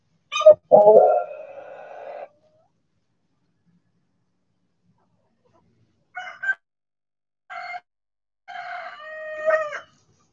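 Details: Backyard rooster out in the sun crows loudly. It opens with a sharp burst, then holds a long, strained harmonic note. Several short clipped calls follow a few seconds later, ending in another drawn-out call.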